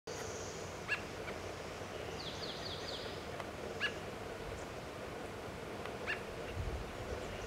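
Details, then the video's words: Adult American robin feeding and chirping in Kingston, Washington: sharp, clipped chirps about every two to three seconds, with a quick run of high descending notes, over a steady background hiss. "American Robin (Turdus migratorius) adult, feeding and chirping"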